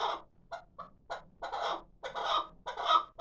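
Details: Six-month-old hybrid chukar partridge, a young bird kept for calling, giving irregular harsh clucking notes. Some come singly, some in short bursts of two or three, with brief gaps between them.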